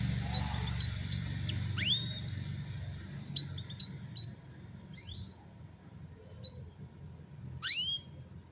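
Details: Canary recorded on a mobile phone, giving scattered high chirps, short repeated twitters and several quick rising-then-falling whistled sweeps, with gaps between phrases over steady low background rumble.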